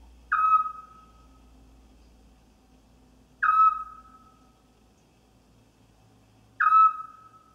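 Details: A scops owl gives its territorial song meaning "go away": a single short, clear whistled note, repeated about every three seconds, with a faint low hum behind it.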